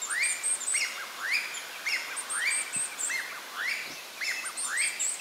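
A young varied tit gives quick, high, upslurred squeaky notes, repeating about twice a second with thin, piercing overtones. No other sounds stand out.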